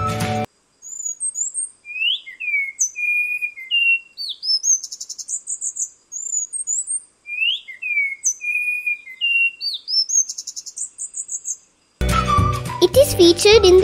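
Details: Spot-winged thrush, Sri Lankan endemic of rainforest undergrowth, Sinharaja: a varied phrase of clear whistled notes, some sliding, others high and trilled, repeated twice, with music following at the end.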